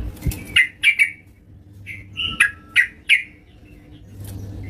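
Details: At home, a yellow-vented bulbul sings lively, delivering sharp, clipped chirps in loose pairs and singles, spaced irregularly over about three seconds, with a soft low hum in the background.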